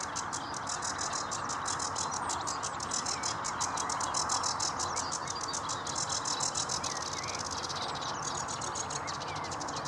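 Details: Singing sedge warbler at Vange Marsh RSPB, pouring out a long, varied stream of rattling trills, grating chatter and brief sweet whistles, with speeded-up ticking bursts, against a constant faint background hum.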